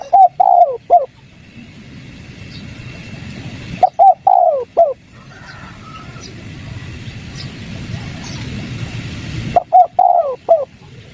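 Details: Spotted dove 'kuk 3' lure call aimed at wild doves: three separate mellow coo phrases with longer silences of nearly three seconds between them, filled by low rumbling noise and faint distant chirps.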